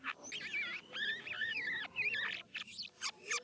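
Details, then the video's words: Asian glossy starling from the Philippines singing varied notes meant to provoke other starlings to answer; clear looping whistles rising and falling, followed by short sharp upward notes. "JALAK KAPAS FILIPINA GACOR SUARA NGEROL VARIASI UNTUK PANCINGAN JALAK KAPAS MANAPUN AGAR NYAUT"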